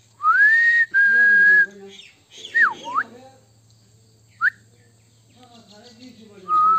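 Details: Pet common myna from India: clear whistled notes, a rising then level tone held under a second, a second steady whistle, a swooping down-up slur, and brief upward chirps, with quiet background murmur.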